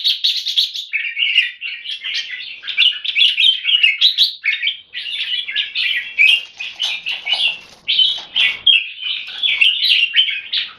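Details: Red-whiskered bulbul, caged jambul in Singapore, singing non-stop: rapid chattering keke notes blended with looping warbled phrases, energetic and barely pausing across the whole stretch.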